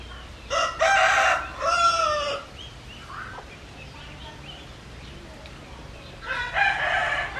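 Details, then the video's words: Rooster crows in a loud, segmented phrase of about two seconds. A second crow begins near the end after a quieter stretch of background noise. "Tiếng Gà Gáy"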